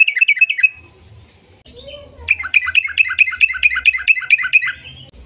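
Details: Sooty-headed bulbul lure song meant to get other bulbuls singing: a short burst of bubbly notes, a quiet gap with low background hum, then a long, fast run of repeated chirping phrases.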